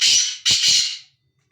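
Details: Harsh, loud grating call of a free-roaming black francolin: a drawn-out buzzy note then a two-part rasping phrase, fading out, followed by quiet.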